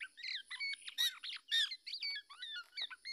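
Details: Black-naped oriole parent defending its chick from an attacking male that was trying to take the young bird, giving harsh, nasal squawks in rapid, uneven bursts, about two a second, mixed with thin higher chirps.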